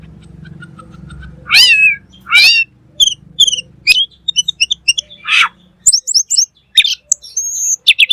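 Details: Black magpie (cucak keling) singing energetically in full 'gacor' style. Loud high whistled notes with steep downward slurs and short sharp chirps are separated by brief pauses, over a faint low hum at the start.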